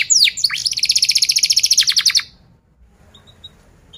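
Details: Canary 'cuit cuit' rolling song used to teach young canaries: a couple of sharp sweeps leading into an even rapid trill lasting about two seconds, then near silence with faint distant chirps.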